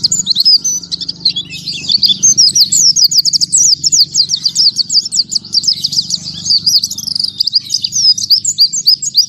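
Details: Breathless-volley ('tembakan tanpa nafas') singing from an oriental white-eye, a fast, nonstop cascade of piercing high chirps and trills sustained for over nine seconds above a faint low hum.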